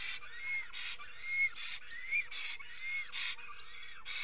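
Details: Black stork at its nest in Estonia in early morning, 10 April 2020 at 5:48 am: arched whistled notes, wheezy and repeated about once a second, alternating with loud breathy rasping bursts.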